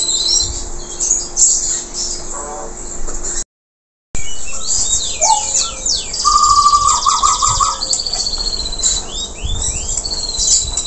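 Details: Local canary singing hard after moulting: high scratchy twitters and quick trills, then a sustained buzzy trill joined by a lower, fluty repeated trill. Brief silence near the start, with a steady background hum.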